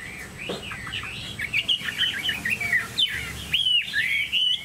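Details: A domesticated Chinese hwamei kept as a cage bird pours out loud, looping whistled notes with quick slurs and trills, ending in clearer rising and falling whistles.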